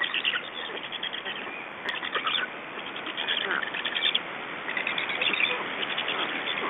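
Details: Nestling black storks in Estonia beg during feeding and a parent change, evening of 2 June 2012; continuous rasping, rapidly pulsed calls with irregular louder bursts over constant hiss.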